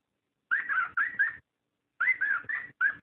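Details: Breeding-stimulation call of a cockatiel, two groups of three or four slurred, rising whistles close together, divided by a pause of roughly half a second.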